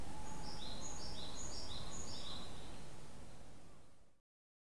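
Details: Unidentified small birds, recorded in 2010, chirp in a quick, regular series of high, short notes, about four per second, against constant low rumbling noise that fades out at the end.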